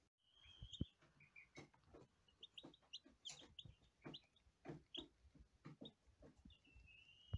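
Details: Day-old lavender Ameraucana chicks peep rapidly: many short high chirps, some falling in pitch, with a longer drawn-out whistled peep near the start and end, over soft tapping and pecking knocks.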